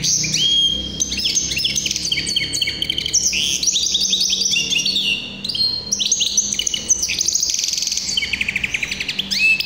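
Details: Tuffahi hybrid canary song: a sustained, fast stream of chattering trills and sweeping whistles, with brief rolling rattles and a clear rising whistle near the end, over a soft low background hum.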